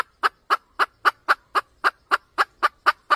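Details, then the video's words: Junglefowl hen, sound used in trapping, repeating short dry clucks about four times per second, twelve in a steady, even sequence, against silence. "Tiếng gà mái cục tác siêu nhạy"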